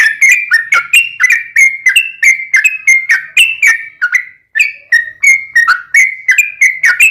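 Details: Continuous 'ropel panjang' rolling song of a Yellow-vented bulbul, used to coax other bulbuls to respond: a dense, bubbly string of slurred whistles with only one short break.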